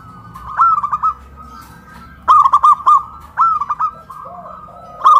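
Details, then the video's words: Zebra doves, local birds kept in cages hoisted on a pole in Kuningan, West Java, sing loudly. Clear phrases of four quick ringing coos repeat, with a fainter answering coo series and a soft low rumble. "PERKUTUT LOKAL SUARA BESAR VS SUARA KRISTAL"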